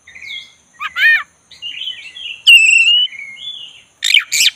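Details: Black-chested Oriental magpie-robin, a caged bird being provoked into lively song: varied whistled phrases, a sweet slurred note near the start, a rapid stacked chattering burst, a long clear whistle, then harsh buzzy notes at the end.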